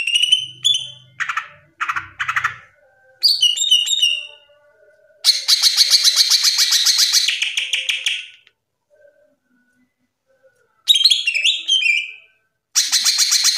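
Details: Masteran song of a top national greater green leafbird: varied chips and downslurred whistles, long buzzy rattles of rapid repeated notes, silent gaps, then ringing whistled runs and another rattle.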